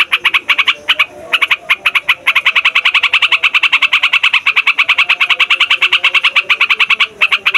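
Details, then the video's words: Trucukan or Yellow-vented Bulbul giving long noisy rolling song to attract wild birds and get young birds singing: choppy bursts of chirps at first, then an unbroken rapid pulsing chatter. "TRUCUKAN RIBUT BUAT PIKAT, MASTERAN DAN PANCINGAN TRUCUKAN PAUD DAN OMBYOKAN"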